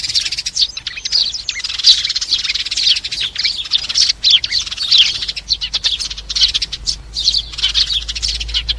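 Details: Sparrows calling their flock together, played to lure birds into traps; continuous busy chatter of sharp, high chirps with a faint low rumble toward the end.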